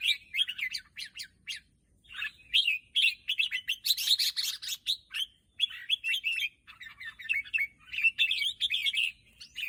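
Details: Cheerful, rapid chirping phrases from a red-whiskered bulbul, clusters of bright warbled notes repeated with short gaps over nearly ten seconds.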